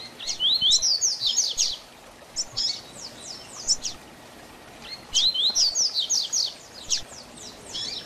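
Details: Double-collared seedeater singing a distinctive "tui tui zel zel" song style used to train young birds. Two bursts of rapid, high, sweeping whistled notes, each about a second and a half long, with scattered shorter phrases between them over a faint background hiss.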